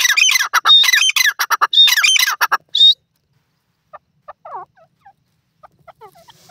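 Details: Francolin (teetar) calling in loud, harsh, rapid squawking phrases with clear whistled notes for about three seconds, then stopping; faint, soft bird notes follow in the quiet.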